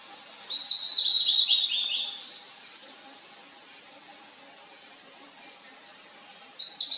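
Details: Blue-and-white flycatcher singing in a valley, recorded in 2023: a loud whistled phrase of quick warbled notes lasting about two seconds, ending in a brief harsher burst, then quiet until the next phrase begins near the end.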